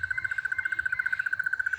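Crested Barbet giving a steady, rapid purring trill at an even mid pitch, roughly sixteen beats a second and unbroken throughout, like an alarm clock without its bell.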